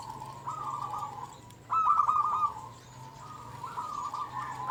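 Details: Zebra dove of a local strain in full song, used as a tutor to stimulate silent doves. Soft, continuous low coos lead into one louder, quickly stuttered cooing burst, with more coos trailing behind over a hissy background.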